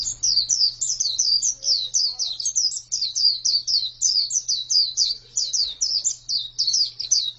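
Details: Female white-eye chattering continuously in rapid, high-pitched, downslurred notes, roughly four a second and sustained throughout. A faint low hum and slight background noise are present.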